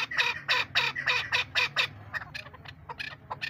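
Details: Chukar partridge giving a rapid series of harsh, clucking chuk notes, about three per second, then softer broken notes; faint low hum beneath.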